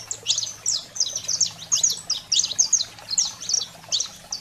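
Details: Saffron finch song meant to fire up a pet bird: bright, high chip notes and short slurred phrases arrive in regular bursts roughly every half second, with a low steady hum underneath.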